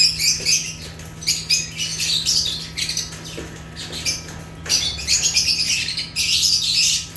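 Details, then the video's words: Rare African lovebirds, Agapornis, chirping steadily: dense, shrill, high-pitched chatter in repeated bursts almost without pause, with a low hum beneath. "Rare African Lovebirds (Agapornis) | Natural Chirping Sounds"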